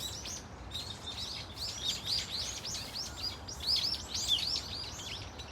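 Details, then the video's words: Flock of Brown-eared Bulbuls at Dunsan Grand Park, a few thin calls growing into a rush of shrill, arching squeaks from many birds, louder toward the end. "직박구리 무리 다양한 울음소리 Brown-eared Bulbul sound of crying"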